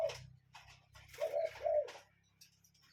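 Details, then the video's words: Cuckoo heard in nature with a single two-note hollow call in the middle, a deep steady hum underneath and faint scratchy background noise. "Relaxing Cuckoo Bird Sound in Nature"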